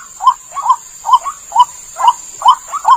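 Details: Slightly uneven series of hoarse croaks and doubled notes from a white-breasted waterhen, used as a lure to catch the bird, with a steady high electronic whine behind.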